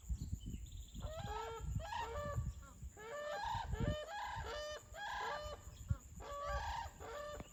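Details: Brolgas at Crossing Falls, Kununurra, Kimberley, Western Australia, calling after dancing: loud, harsh, trumpeting calls rich in harmonics, given in rapid, overlapping bursts almost without pause from the first second on, over low wind rumble.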